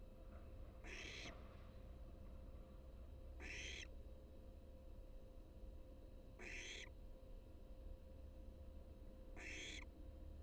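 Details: Wild barn owl at its nest around its first fledging. Faint, harsh, hissing screeches come about every three seconds against steady low background noise and a constant hum.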